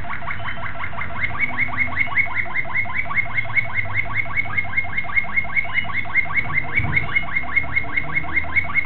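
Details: Young Malinois Waterslager canary from 2009 singing a steady run of rising, slurred notes, about two and a half per second, over low background hum.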